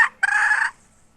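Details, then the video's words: Hen, 2021, utters a short clipped note followed by a single drawn-out harsh squawk lasting about half a second, then quiet. "Suab poj qaib seev dib tuaj"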